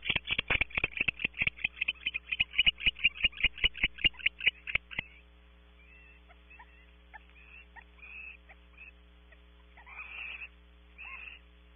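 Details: Barn owls meeting and mating inside a nest cavity at Audubon Starr Ranch, California, picked up by a nest camera: about five seconds of rapid, sharp ticking chatter, then softer scattered hisses and rasps, over steady electrical hum.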